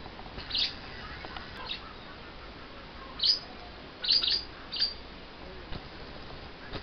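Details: Two pet lovebirds, a little upset right after having their wings clipped, giving short high chirps in scattered clusters over steady background hiss.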